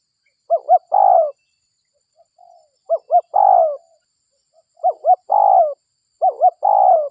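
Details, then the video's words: Local Indonesian spotted dove, played as a lure recording to draw other spotted doves in. Four phrases, each two short hooked notes and then a long, falling, buzzy coo, about every two seconds. Brief soft notes fall between phrases on a clean, quiet background. "Pikat Suara DERKUKU Lokal Gacor RAJA PIKAT Ahlinya Bikin Semua DERKUKU DATANG"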